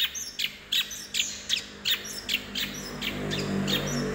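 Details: Eurasian tree sparrow fighting calls: a string of short, sharp downward chirps, roughly two or three per second, fading into steady low background noise toward the end.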